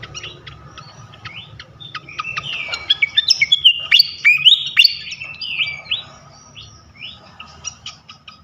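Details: Flycatcher singing a provoking lure for other flycatchers: spaced chirps build into an animated run of clear, upslurred and downslurred whistles, then fade into scattered high ticks.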